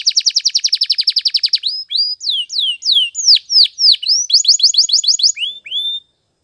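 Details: Canary (Serinus canaria), Spanish Timbrado training song in the morning: a fast, even trill of about sixteen bright notes, then sweeping whistled slurs and a second rolling trill, all clear and high-pitched.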